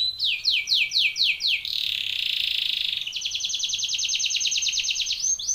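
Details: Belgian canary singing a training song: several loud descending sweeps, a soft sustained buzzy tone, then a long, very fast metallic trill ending in a short rising note.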